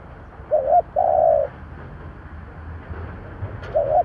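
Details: Spotted dove decoy calling in 'giọng thổ' style to lure others; a short and a long low coo, then another short note, over steady background hiss and rumble.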